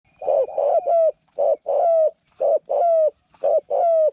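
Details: New decoy spotted dove used with a trap enclosure to lure wild doves, said to have a small voice and coo well; short low throaty coos in quick pairs and runs, roughly one every half second, with a faint steady high tone behind.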